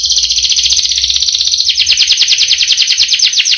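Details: Canary in a long rolling song: a smooth continuous high buzzy roll, then a quicker trill of descending chirps from about halfway, over a low background hum.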